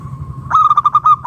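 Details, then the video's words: Local wild zebra dove used as a lure to draw other doves into calling: a steady tone, then a burst of rapid, staccato pulsed coos with a low hum underneath. "Perkutut lokal gacor RAJA PIKAT Ahlinya Bikin Semua Burung Perkutut Gacor Nyaut"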